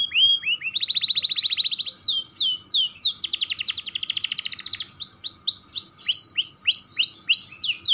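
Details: Energetic song of a young canary played to encourage other canaries: dense machine-gun trills, rising swept whistles and repeated downslurred chirps delivered without pause, a steady faint hum underneath.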